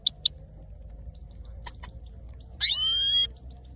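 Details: Male saira goldfinch in song: a few isolated sharp clicks and chirps, then a drawn-out wheezy nasal note with a descending whistled tone, over a faint hum.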